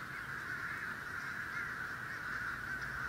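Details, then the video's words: A huge flock of crows, thousands of birds, flying past: countless overlapping caws merge into a steady, unbroken roaring chorus with no single call standing out. "Huge Flock of Crows in the thousands Flying by"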